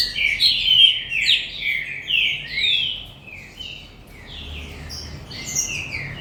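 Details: Captive green-winged saltator from a commercial breeder delivering rapid, rich whistled phrases, loud at first, then softer, with overlapping slurred notes.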